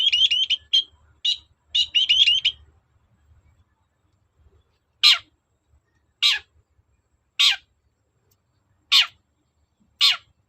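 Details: Long-tailed shrike recorded as a lure to make other shrikes answer: a quick stuttering run of high notes, then a pause, then five loud, harsh, descending rasps spaced about one and a half seconds apart.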